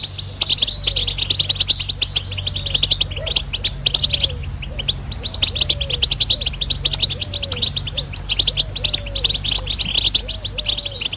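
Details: European goldfinch delivering a long, unbroken stream of sharp tinkling twitters and trills, with faint lower arched calls repeated in the background and a constant low hum.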